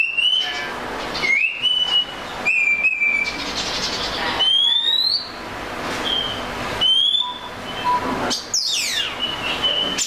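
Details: Oriental magpie-robin delivering rising, slurred whistles and sustained clear notes in spaced phrases, with a closing burst of rapid descending sweeps.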